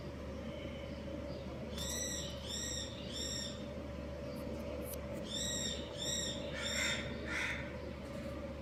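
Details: A breeding pair of budgerigars (Australian parakeets) giving bright, harmonic chirps in two bursts of three to four notes, then softer raspy notes, over a steady electrical hum.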